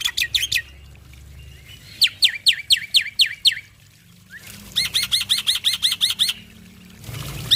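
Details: Male black-winged starling singing vigorously as a master recording for other starlings: series of rapid downslurred whistles, a pause, then a dense run of repeated looping notes over faint background noise.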